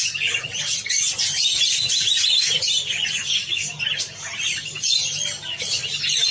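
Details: A flock of Java sparrows eating wheat keeps up a nearly continuous stream of bright, high chirps and squeaks, irregularly spaced and overlapping.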